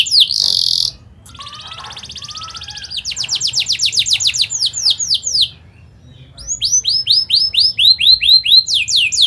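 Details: Atlantic canary singing an energetic rolling song to train young canaries: a loud harsh burst, a buzzy trill, a run of quick chirps, a pause, then repeated arching notes; faint lower whistles sound behind.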